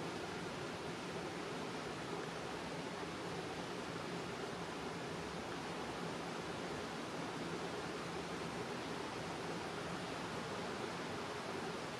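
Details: Only a steady, even rush of broadband noise like wind or running water fills the recording, with no animal calls.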